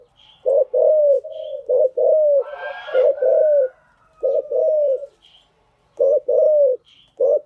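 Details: Decoy spotted dove whose cooing is used to tame newly caught wild birds, giving repeated short hooted coo phrases with gaps between them, plus a brief higher chirp from another bird.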